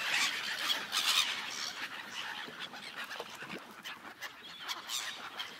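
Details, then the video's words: A flock of gulls on an icy lake gives harsh, squawking cries that overlap in a steady, uneven chatter, several calls each second, over a faint outdoor hiss. "Seagulls sounds"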